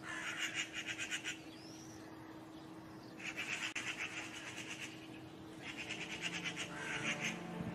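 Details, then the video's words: Eurasian magpies, a pair newly settled in a courtyard in spring, giving alarm calls: harsh, rapid rattling chatter in three dense bursts, each a second or more long, separated by short pauses, over a steady low hum. "Pies bavardes et cris d'alerte"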